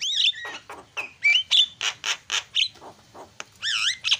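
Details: Javan myna singing as a lure to restart a quiet bird: loud mix of clear whistled slurs, wavering squeals and harsh chack notes in quick succession.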